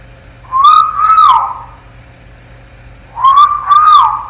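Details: Ten-month-old African grey parrot in its crib gives two loud, clear whistles a few seconds apart, each a sliding two-part note wavering up and down, over a faint low hum.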